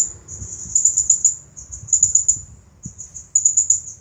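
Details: Champion Blue-crowned hanging parrot singing in the 'nagih hutang' style: three runs of very high, shrill, buzzy trilled notes, each lasting about a second with brief gaps, over faint low background noise.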